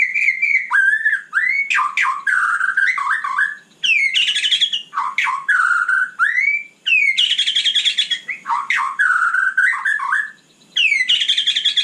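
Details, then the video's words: At night a white-rumped shama pours out a loud, continuous song of swooping whistles, rich slurred notes and harsh buzzy flourishes, with only brief breaks between phrases. "Kicau malam murai batu super GACOR"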